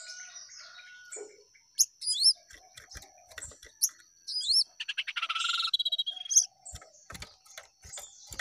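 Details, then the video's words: Jongkangan in full song with rising and falling phrases: high wavering whistles and twitters, then a fast buzzy rattling trill lasting about a second, followed by scattered chirps and faint clicks. "Jongkangan Gacor Naik Turun Oke"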